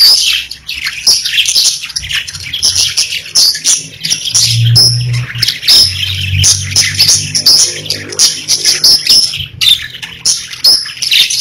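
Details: Pet budgerigars singing and chirping together in a dense, continuous chorus of high warbled chirps and squeaks with no pause, with a faint low hum underneath.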